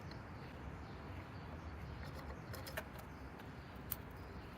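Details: Steady low rumble and broadband hiss, with a few faint clicks and no clear animal voice.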